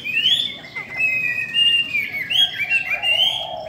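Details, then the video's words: Female Chinese hwamei, said to stir males strongly, sings in the 'bắt cô trớt cột' style with wing and tail display: high, sustained, bright whistles that slide up and down in a continuous flowing line. "KHƯỚU DA BÒ MÁI SIÊU KÍCH TRỐNG"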